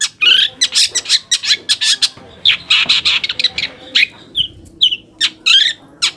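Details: Long-tailed shrike song as a provoking lure for other shrikes: loud raspy bursts and scratchy notes in quick succession, interspersed with short clear upslurred whistles, fairly continuous.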